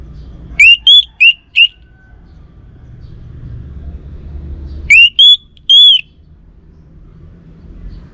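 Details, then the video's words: Caged orange-headed thrush from North Bali, Singaraja, singing two bursts of four short, loud whistled notes. The notes are upslurred or arched and spaced under a second apart, with a few seconds of quiet between bursts and a low background hum. "Burung ANIS MERAH Lansung Nyaut Gacor Tanpa Henti"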